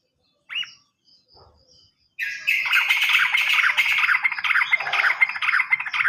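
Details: Lure recording of sooty-headed bulbul, meant to prompt silent birds to sing: one short upward chirp, a pause, then loud continuous chattering and rattling that runs to the end.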